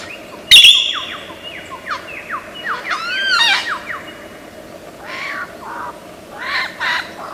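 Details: Lyrebird from the forests of Australia in imitative song, a sharp snap followed by a run of falling whistled slurs, arched warbling notes, then softer scattered chirps and chatter.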